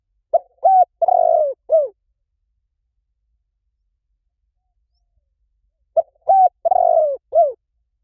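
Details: Spotted dove lure call for drawing doves in. Two identical soft cooing phrases, roughly five seconds apart. Each has a quick coo, a steady note, a drawn-out vibrating coo sliding lower, then a short downward note. Silence between them.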